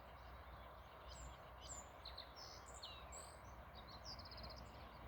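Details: A black-faced bunting gives thin, high, sharp notes scattered through the clip, with a brief rapid trill near the end, over a steady low rumble of outdoor noise.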